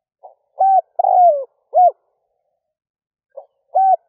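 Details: A spotted dove kept as a decoy coos to lure wild doves at dawn. A soft lead note is followed by a hooting note, a drawn-out descending coo and a clipped final note, then a pause and the phrase starts again. The background is silent.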